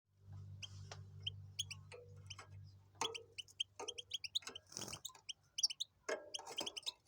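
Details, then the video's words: Goldfinch and canary hybrid singing in the tibetano and tuitero styles: bursts of high, bright chirped notes and short twittering phrases, with a low steady hum and occasional knocks underneath. "Jilguero híbrido tibetano y tuitero y canario"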